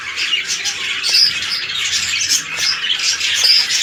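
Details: Breeding pair of red-eyed lutino budgerigars kept indoors; rapid overlapping chirps and harsh squawks, a continuous high chatter with brief sharp clicks between.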